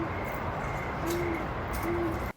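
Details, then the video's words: On a late-summer night, a Great Horned Owl calls in the background with soft, low hoots spaced about a second apart, behind a steady high hum and night background noise. "That night, my heart is full and I love listening to the great horned owl in the background."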